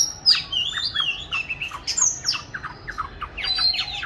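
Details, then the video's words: Caged oriental magpie-robin, raised from 29 July 2020 and recorded 22 March 2021, hung in an ideal spot for song training; a varied run of high whistled slurs and short chirps, quick and irregular. "con than chuyền nuôi 29-7-2020(clip quay 22-3-2021) treo chỗ lý tưởng luyện hót"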